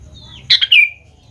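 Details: One brief phrase from a sooty-headed bulbul on a lure track for young birds: a thin rising whistle leading into a bright, bubbling, downslurred note, low hum in the background.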